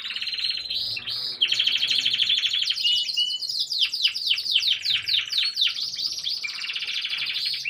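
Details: Gloster canary singing, recorded 04-03-22: a loud, unbroken song of high rolling warbles, rapid trills and quick repeated chirps with sharp downward-sweeping notes, continuing without pause from start to end.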